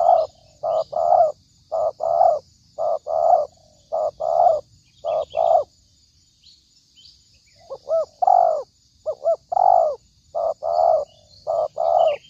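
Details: Spotted dove call played as a lure for trapping, a rapid run of short soft coos in pairs and triples, a brief pause, then quick doubled notes and longer falling coos, with a thin constant hiss behind.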